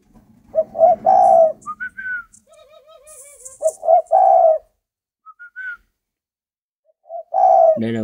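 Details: Captive spotted dove in Vietnam repeating its phrase of low burry coos and rising whistled notes, over a low hum, a wavering whistle-like sound and brief higher noises.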